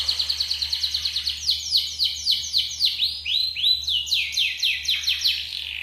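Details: Clean yellow canary song used as a lure for other birds: a rapid series of repeated downward-slurred notes, about four per second, rolling into broader swooping whistled phrases, over a faint low hum.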